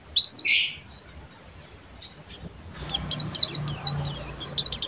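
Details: Oriental white-eye, buxtomi type, in ngeriwik style: one loud, two-toned buzzy call opens, a quiet pause follows, then a rapid string of thin, high, downslurred twitters runs to the end.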